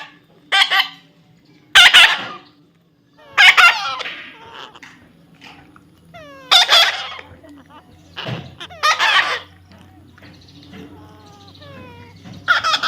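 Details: A baby parrot being tamed produces a long series of harsh screeches mixed with short, chattering upslurred notes. The calls are irregularly spaced, with a low hum in the later part.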